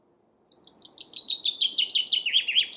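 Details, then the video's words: Chaffinch song: a rapid run of bright, high chirping notes that drift gradually lower in pitch, repeated quickly for over two seconds after a short silence, with faint low background rumble. "Chaffinch Birdsong"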